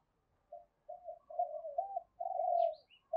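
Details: Spotted dove song meant to attract wild doves to fight a decoy: a soft, continuous flow of low wavering coos, quieter and more distant-sounding, with a few faint higher squeaks near the end.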